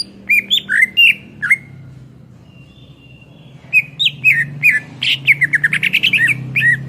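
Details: Greater green leafbird in lively song for tutoring cage songbirds: slurred whistles, a short pause, then a dense run of rapid, varied chattering and warbled notes above a low hum.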